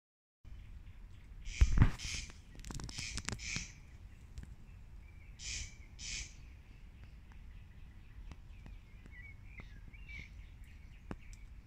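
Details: Corn crakes (Crex crex) repeat their dry, rasping double crex-crex over a low wind rumble on Lammassaari's duckboards, Viikki, Helsinki, on 19 May 2020, while a brown hare listens nearby.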